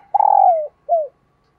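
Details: Female red collared dove calling to stimulate males; a single rough, purring coo that slides downward, followed after a short gap by a shorter falling coo, in a quiet setting.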